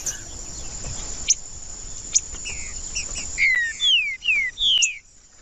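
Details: Green-winged saltator singing to warm up a cold bird: after quiet ticks, a series of clear whistled downslurred phrases, each dropping in pitch, delivered loudly near the end; a steady high hiss runs throughout.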